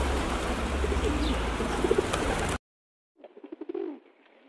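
A pigeon gives a low, throaty, falling coo, preceded by a stretch of steady rushing noise with faint soft cooing buried in it.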